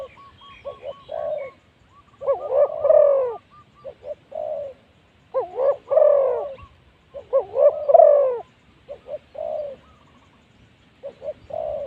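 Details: Spotted Dove used as a decoy to attract wild spotted doves, spot 136. Hoarse coo phrases repeat about every three seconds, each with hooked notes and a long drawn coo. Softer, evenly spaced coos fill the gaps between them.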